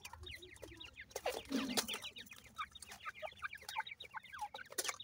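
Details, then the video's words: Several captive irani teetar (francolin) chicks, growing day to day, peep continuously in short downslurred high notes, many overlapping, with a brief rustling clatter in the middle. "irani teetar chicks growing day to day,pheasant chicks"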